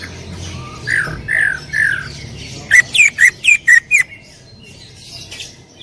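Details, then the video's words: . Greater green leafbird in loud 'tembakan' (shot-style) song: three slurred, descending whistles, then six sharp, loud, ringing notes in quick succession before quiet. "cucak ijo gacor full tembakan suara keras"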